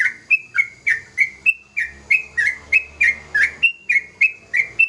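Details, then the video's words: Bold, evenly paced whistles from a young yellow-vented bulbul coming into full song. Each short note rises or bends, and they repeat roughly three times a second with brief gaps between. "Suara burung trucukan muda gacor"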